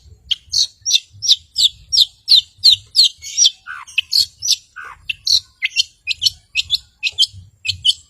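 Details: Long-tailed shrike in energetic song, used to provoke rivals and mute birds: quick repeated high chirps, about three per second, broken by two short descending slurred notes midway, with faint low rumble behind.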